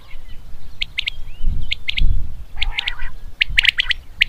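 Common quail giving sharp, high, liquid notes in quick groups of two or three, repeated about once a second, over low rumbling background noise.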